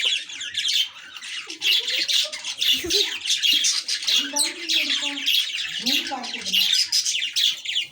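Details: Pet lovebird fighting with a chick, producing a nonstop stream of harsh, shrill squawks and screeches. Lower murmuring sounds appear in the middle and toward the end.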